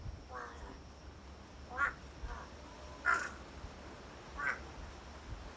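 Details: Crow on Ishigaki Island giving hoarse, laughing 'aha, ahau' calls, three spaced notes about every one and a half seconds, with a few fainter calls and steady low background hum.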